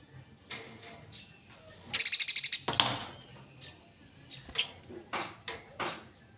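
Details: Eurasian tree sparrow in fighting mode, a training recording chosen by judges: a rapid burst of about ten sharp high chirps, followed by scattered single chips and softer notes.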